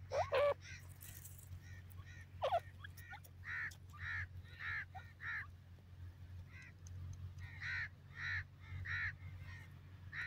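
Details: Small group of Grey francolin chicks in Pakistani woodland gives a series of clear, short chirps repeated roughly every half second, with a couple of louder bursts at the start and a low hum behind.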